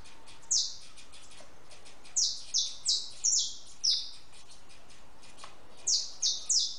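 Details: Feeding and drinking in a backyard, a house sparrow utters scattered high chirps that drop in pitch: a single note, a loose run of five, then a closing group of three.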